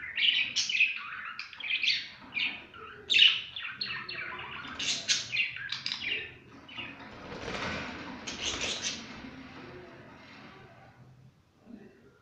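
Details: Pet budgerigars at play, with rapid chirps and warbling chatter early on, wing flaps and rustling, then fading to quiet toward the end.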